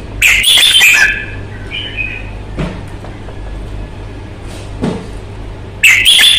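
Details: Fighting-display song of a Red-whiskered bulbul: a loud rich warbled phrase at the start, softer notes after, and another loud phrase at the end, with faint thumps and low hum.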